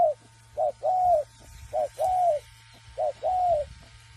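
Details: Spotted dove, raised free-range and practising its cooing: three paired coos, each a short note followed by a longer, slightly falling hooted coo, mid-pitched and repeated about every 1.2 seconds over a steady low electrical hum.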